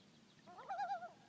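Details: A loon on a lake in Clearwater, Minnesota, heard while kayaking, gives a short, wavering, slightly quavering call at a middle pitch lasting well under a second, over a quiet background.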